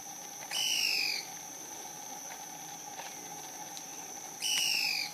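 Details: Call of the Yungas tody-tyrant, a rare local bird of dense bamboo in the yungas valleys of southern Peru, recorded near Putina Punku. Two downslurred whistles about four seconds apart, set against a constant high buzzing drone.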